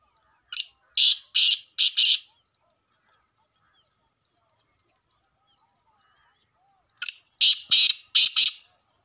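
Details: A male black francolin in the jungle gives two harsh, grating phrases of four rasping notes each, separated by several seconds of quiet; used to call francolins and prepare them for calling contests.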